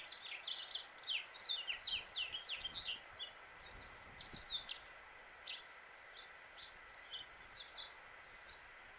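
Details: Male house finch in Suffolk, Virginia, USA, giving a fast run of high warbled and slurred notes for about three seconds, then scattered sharp chirps; steady background hum throughout.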